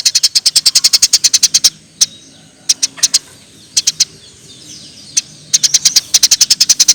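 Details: Gacor tree sparrow chirps as masteran material: a fast opening run of high chirps, then sparse single chirps spaced apart, and a final quick burst.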